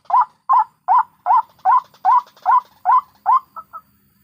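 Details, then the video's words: From the wild, a White-breasted waterhen lure recording of adults and chicks: nine loud, evenly spaced, rising croaks at about two per second, then two faint short notes and silence. "Suara Ngekek Burung// Indukan & Anakan Ruak-Ruak"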